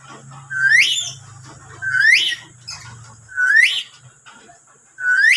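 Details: Loud lory calls that startle and anger nearby lories into answering: four sharp, upward-sweeping screeches spaced roughly one and a half seconds apart, with a faint low hum in the background.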